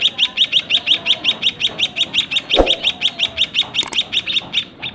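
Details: White-headed munia young fed by their parents in a narrow cage beg with a regular train of high, clipped chirps about three per second. A dull knock falls midway and a brief rustle comes near the end.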